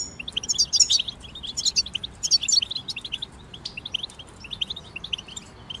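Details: Group of European goldfinches singing, meant to prompt a moulting goldfinch back into song: busy tinkling twitter, loudest in the first half, then thinner scattered chirps fading toward the end.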